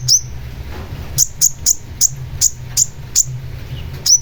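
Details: Long-tailed shrike (cendet) song for prompting birds to sing: a steady run of single, very high, sharp upslurred chips, about two or three each second, with faint low hum behind.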